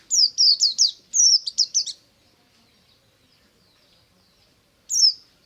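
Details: Morning white-eye song in ngalas style: two rapid runs of high, sweeping downslurred notes packed into the first two seconds, then silence before a single bright note.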